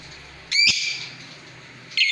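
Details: Lovebird giving a harsh, shrill, high-pitched chattering burst, followed by a quiet pause with a low hum, then a second sharp shrill burst at the end.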